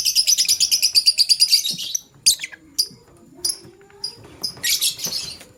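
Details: Male lovebird courting a partner opens with a rapid, even series of about a dozen shrill chirps, then gives scattered single squeaks and ends with a loud scratchy chattering burst.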